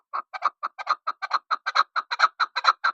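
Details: Rhythmic chukar partridge (desi chakor) calling: a steady run of hoarse, chuckling clucks roughly every quarter second, some notes doubled, with no other sounds in the background.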